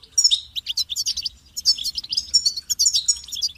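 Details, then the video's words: Bright, rapid goldfinch twittering. Sharp high chips and short trilled notes form two long phrases split by a brief pause, clean with no other sounds. "Amplifying the Goldfinch's Voice"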